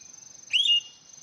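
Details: Hwamei singing: a single clear whistled note, sharply upswept then held briefly, over a constant thin high-pitched hum.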